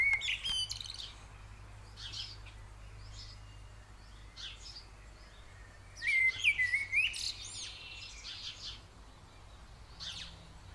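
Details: Eurasian blue tits at a nest in a ceramic-head nest box, being fed, give thin, high chirps and twitters in two busy bursts, with scattered soft calls between, over a steady low hum.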